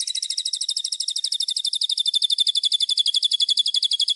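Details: White-rumped shama master song for training birds: a steady, fast, high buzzy rattle of about four notes a second, unbroken throughout.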